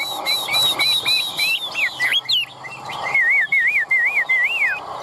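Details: Caged Chinese hwamei from Vietnam with a fanned tail, singing a rapid run of whistled notes, high thin slurs at first, then a repeated wavering, trilled figure rolling several times near the end.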